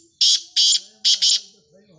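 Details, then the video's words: Black francolin, a rare black partridge of the speeder type, calling in four harsh, broad rasping bursts in quick succession, the last two closely paired. "Black Francolin Calling"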